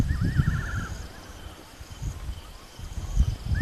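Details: Fiery-necked nightjar calling at night by a waterhole at Rietspruit Game Reserve in South Africa's Lowveld. A wavering, quavering whistle trills near the start, and a brief rising whistle comes at the end, over low rumbling background noise.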